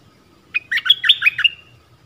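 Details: Dok Taeng bird calling for a mate as a forest decoy, recorded 13 January 2021; a single brisk run of warbled, falling notes lasting about a second.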